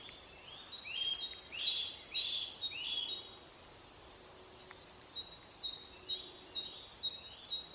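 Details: Great spotted woodpecker at its nest cavity: high, squeaky chirping calls in quick overlapping bursts, about two a second, with a soft steady hiss behind.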